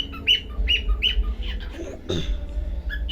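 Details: Pet cockatiel giving a series of short, bright chirps, each sharply rising then falling, repeated roughly every quarter to half second, with a brief rustling thump midway and a low background hum.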